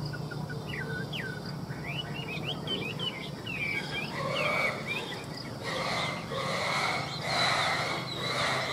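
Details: Chinese hwamei offered for sale in Vietnam, singing loud whistled phrases that slide up and down in quick varied loops for about five seconds, followed by harsher broadband bursts with a steady low hum underneath.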